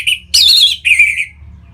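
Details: A kept orange-headed thrush (Geokichla citrina), played as a lure sound to set other birds singing, gives a brief, loud phrase of rich whistles and harsh chattering notes, high-pitched and varied, over a faint low hum.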